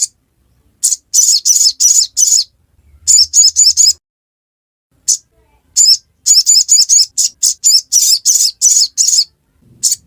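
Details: Ngiriwek singing by a ruby-cheeked sunbird: repeated runs of shrill, high-pitched chirps, the longest a dozen notes, broken by short pauses across ten seconds.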